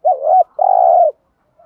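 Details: Decoy spotted dove cooing while being trained to lure newly caught birds: a single loud phrase, a brief rising-falling note then a longer steady humming note.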